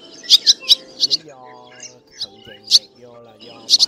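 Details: Swallows, a dark swallow with a white belly, in a flock-calling and roosting-call recording used as a lure, give sharp, high chirps, mostly in quick pairs and triplets, over a faint voice or tonal background.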